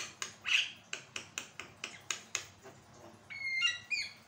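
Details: Actively singing Javan myna, kept as a tutor recording to get other birds singing: a rapid series of dry, ticking rasps, then a burst of thin, overlapping whistled notes near the end.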